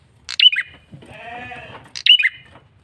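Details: Lure call of a male bar-winged prinia: two bright, high chirped phrases that fall in pitch. Between them comes a lower, drawn-out, bleating sound over a faint low rumble.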